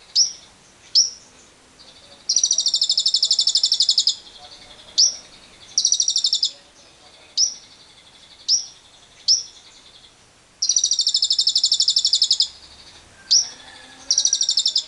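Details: Lovebird giving ngekek trills as a lure for other lovebirds, alongside wild birds: bursts of rapid high chattering trill up to two seconds long, separated by single sharp, piercing chirps.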